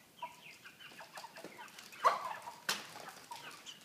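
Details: Several caged broiler chickens, about 3 kg each, near a pan feeder utter sparse short chirps and clucks, with one louder squawk midway and a sharp knock shortly after.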